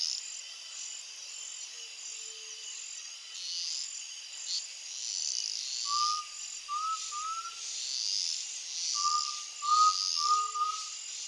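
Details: Undulated tinamou song at sunset in rural Brazil, a pair of short rising whistled phrases of two to three notes each, set against steady high-pitched insect buzzing and faint low notes.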